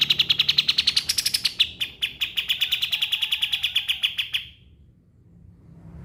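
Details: Pied triller offered as a tutor recording for songbirds: a rapid chattering trill of sharp high notes, briefly rising in pitch, then steady before stopping; quiet low hum afterward.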